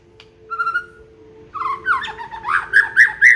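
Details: Aceh white-rumped shama singing its full song with isian fill-ins: a short faint note, then a steady whistle, then a rising run of loud slurred whistled phrases that sweep upward and grow louder toward the end. A low steady hum lies underneath.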